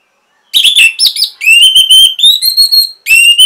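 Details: Orange-headed thrush song used as a training and prompting recording for caged birds that have stopped singing: loud, clear whistled phrases, some sliding downward, in rapid bursts separated by brief breaks, with no other sounds.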